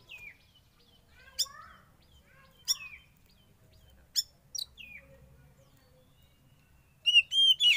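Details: Wild-caught young Oriental magpie-robin in a cage for sauna therapy: scattered sharp, high ticks and short downslurred chirps at first, ending in a louder cluster of quick ringing whistled notes.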